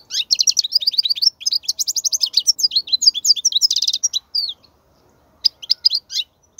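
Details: European goldfinch song for teaching young goldfinches, wild-type song: fast twittering bursts of high chirps and trills, a short pause, then more tinkling phrases; clean recording without other sounds.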